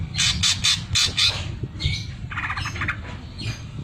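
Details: Greater green leafbird song in sewing-machine filler style: pulsed harsh rattling bursts in quick succession, then a softer buzzy chatter, set against steady low background noise.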